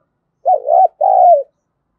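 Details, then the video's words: Close, loud coo from a lure spotted dove meant to provoke other doves: one phrase of a wavering, dipping note, then a smooth sustained coo sliding down, in otherwise silent surroundings. "Tiếng chim cu gáy thúc bổi hiệu quả nhất"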